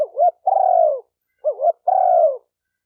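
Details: Spotted dove cooing, used to stimulate males and females: two loud phrases, each a short wavering double note followed by a long, slightly falling coo, separated by about half a second of silence.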